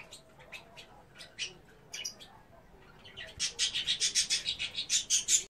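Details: Female goldfinch: scattered high chirps give way to a fast, steady run of bright, repeated twittering notes that grow louder toward the end.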